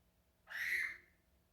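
A Quaker parrot gives a single harsh, screechy call lasting about half a second.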